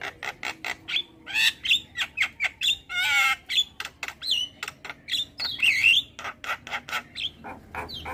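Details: Starling song as a training recording: rapid, rhythmic chattering notes with harsh squawks and a buzzy rising whistle among them.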